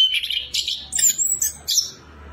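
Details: Lure song from an orange-headed thrush (anis kembang), meant to trigger singing in another bird: quick high squeaky notes and a thin, drawn-out whistle, fading into quiet after two seconds.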